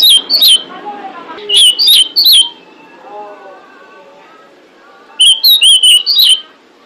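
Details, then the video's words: Calling to attract males, a female pied bushchat repeats short runs of high, ringing whistled notes, three runs in quick succession, while quieter lower-pitched bird chatter fills the pauses. "Suara Decu Betina Pemikat Jantan"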